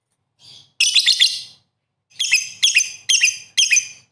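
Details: Chattering 'gacor' lovebird: a soft opening note, then a rapid run of harsh, high, scratchy chirps, a short pause, and four more grating bursts in quick succession.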